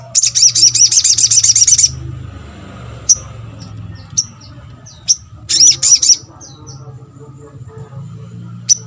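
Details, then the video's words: Little spiderhunter giving a lure call meant to draw quick responses from others of its kind: a rapid high trill of repeated notes for about two seconds, spaced single chips, then a shorter burst of trilling over a low hum. "MUDAH BIKIN SOGON ( sogok ontong ) LAIN BUNYI GAMPANG RESPON"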